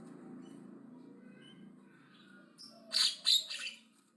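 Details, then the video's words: Javan myna, described as aggressive and chattering loudly: after about two and a half seconds of faint low hum, a burst of harsh, raspy, noisy squawks arrives in three quick pulses, then fades. "BURUNG JALAK KEBO AGRESIF NGOCEH KENCENG"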